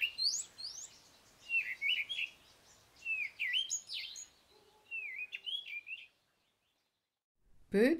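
Cape Robin-Chat singing sweet, varied whistled phrases in short bursts, sliding up and down; a faint low hum underneath and a brief voice at the end.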